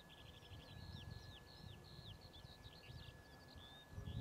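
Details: A Eurasian skylark at Ljubljana Marsh, Slovenia, on 1 April 2023 pours out a continuous, rapid stream of high twittering and warbling notes over a low rumble of wind or distant traffic.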